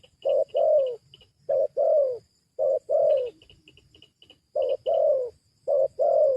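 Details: Spotted dove calling to lure wild doves down: a short coo followed by a longer, falling, throaty coo, repeated in paired phrases; faint high twittering from another bird between them.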